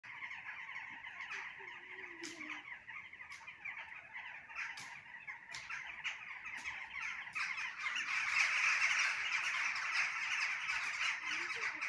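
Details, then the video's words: Birds chirping at night on the Isle of Man: a dense, continuous chorus of many birds chirping and chattering at once, mid-to-high pitched, swelling louder toward the end, with occasional sharper clicks. "BIRDS CHIRPING AT NIGHT"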